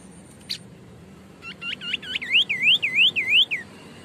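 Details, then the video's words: A white-breasted babbler (Stachyris grammiceps), an insect-eater of primary, lowland and hill forest, sings energetically: a brief high note, then quick whistled notes becoming looping, rising-and-falling slurs, about five in just over a second, over a faint hum. "Tembakan burung sniper atau Tepus dada putih gacor"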